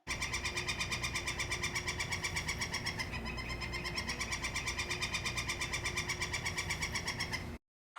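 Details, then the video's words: Northern flicker in spring at Lake Koocanusa on the Columbia, calling a long, steady run of sharp, ringing notes, about three per second for seven seconds, over a low steady hum. "One of the signs of spring is the sound of the northern flicker. They're just great. Just listen to this."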